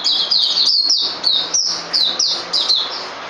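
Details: Singing White-rumped shama in captivity giving a fast string of loud, high whistled notes that dip and rise, tightly spaced, with a faint low hum underneath.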